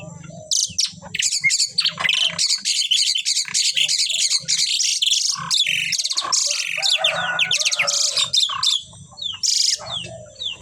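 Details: The Asian pied starling pair sings a long, dense, energetic stream of scratchy, buzzy and whistled high notes, nearly unbroken for about ten seconds.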